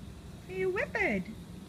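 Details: Male pet parrot chattering in a trance-like state during a shower, producing a brief speech-like phrase of two clean sweeping tones, first rising then falling, over a steady low background hiss.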